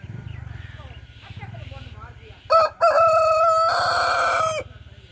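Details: Rooster crowing loudly: a short harmonic opening note, a brief gap, then a long sustained rich crow held for almost two seconds before cutting off, over a steady low rhythmic hum.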